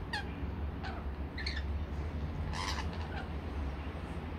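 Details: Rainbow lorikeets feeding on a sweet nectar mix: scattered harsh, scratchy squawks and short screeches in bursts, set against a steady low hum.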